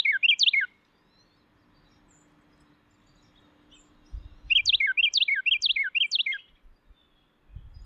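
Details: Carolina Wren male's loud rolling song, heard in spring in forests and wooded backyards of the eastern United States: one phrase ends a song, then after a pause a fresh run of four quick repeated falling phrases, with low thumps nearby.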